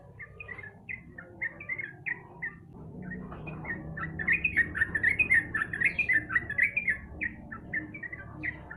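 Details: Sooty-headed bulbul lure for a bird reluctant to sing: lively chattering of short, slurred chirps, starting sparse and swelling into a dense, excited run of quick notes around the middle, with low background rumble.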